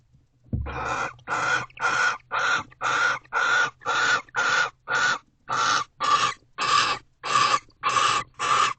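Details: Barn owls in a confrontation at a nest box after midnight in December deliver a rapid run of fifteen harsh rasping screeches, nearly two per second, loud and steady in rhythm.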